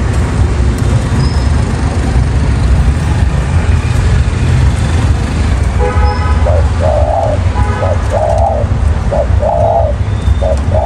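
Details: Spotted dove, a wild-caught bird, coos in the second half: several short rolled coo phrases in quick succession, with loud low traffic-like rumble throughout and a brief harmonic hum before the calls.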